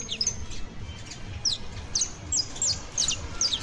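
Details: Young Saffron Finch (canario basto) giving bright, thin downslurred chirps, about three per second at irregular spacing, over faint low background hum.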